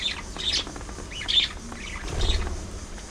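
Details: Budgies give scattered high chirps and squeaks with short pauses between them, and a low rumbling noise in the second half.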